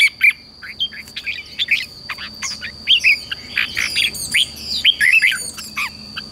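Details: Morning song of red-whiskered bulbuls, played to train young wild-caught birds to sing in contest: a busy stream of bright whistled slurs and chirps, some overlapping, against a constant thin high-pitched hum.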